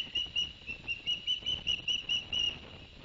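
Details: Osprey nest at Barnegat Light, New Jersey, September 2021, male delivering two fish to the young: a faint, regular row of short high whistles, around three per second, over broad background noise.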